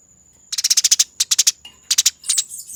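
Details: Eurasian tree sparrow in fight mode, training master: three quick runs of harsh, evenly spaced chirps followed by a rougher buzzy burst, over a faint steady high whine.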